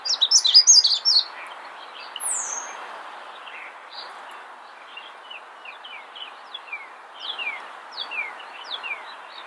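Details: Magnolia warbler in the wild: a short, rapid burst of high sweet notes opens the recording. A lone high whistled slur follows, then a series of faint descending chips from other birds over soft background hiss.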